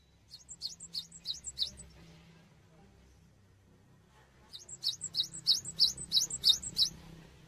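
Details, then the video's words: Cinereous tit singing actively, recorded as a tutor for songbirds: a short run of rapid, bright, repeated two-note chirps, then a silence, then a longer run of about eight chirps. A faint low rumble runs through. "GELATIK BATU GACOR UNTUK MASTERAN"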